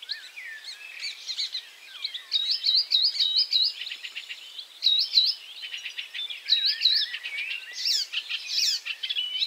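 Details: Icterine warbler continuing its song after catching a caterpillar. Looping, U-shaped whistled notes are repeated in quick sets, woven among dry clicks, chatter and varied high phrases.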